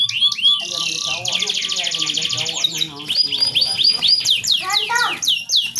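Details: Singing canary, used to prompt mating in an unwilling bird: a rapid buzzing trill, varied chattering phrases, then loud repeated downward-sweeping whistles near the end.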